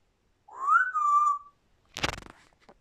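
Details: Grey parrot whistling one clear note that rises, then holds level for about a second, followed by a short broadband burst of noise.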